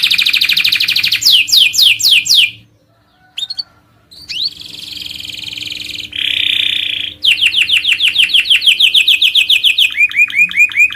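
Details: Canary master song for training birds: fast chirped phrases broken by a pause, a scratchy section and a short harsh buzz, then rising repeated whistled notes.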